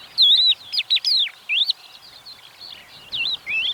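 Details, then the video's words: A crested lark in the Manych steppe, morning of 23 April 2024, sings a quick run of clear, sliding whistles, rising and falling between high and very high notes, despite gusting wind behind. "Невзирая на порывы ветра, он торопился похвастаться своей нежной песенкой."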